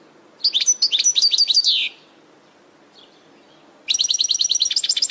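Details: European goldfinch song from a training recording for caged birds: two bright bursts of rapid, tinkling high twitters with liquid trills, separated by a pause of about two seconds.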